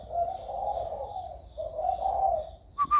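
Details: Spotted dove just developing a warm voice, 16 February 2020, delivering two drawn-out, low, soft coos, with a brief higher whistle from another bird at the end.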